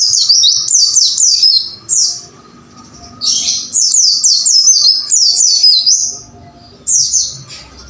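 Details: Caged white-eye (pleci) song from training recordings: bursts of rapid, high, down-sweeping whistled notes in phrases of three to six, separated by short pauses, over a faint steady low hum.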